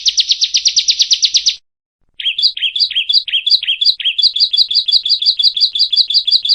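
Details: Bar-winged prinia (ciblek) in a loud, energetic 'gacor nembak' masteran song: a fast burst of about sixteen buzzy high notes, a brief silence, then a longer run of bouncy rising-and-falling chips.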